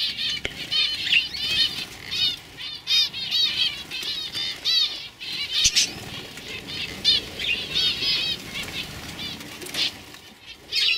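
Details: Several young canaries from 2015 singing in a lively chorus: dense, high, rapidly repeated warbled notes and trills in steady bursts, with a couple of sharp clicks.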